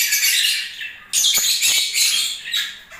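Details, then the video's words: Lovebirds in breeding season giving high, harsh squawking chatter in two loud bursts split by a brief silence, with squeaky notes woven through. "Love birds singing and movements"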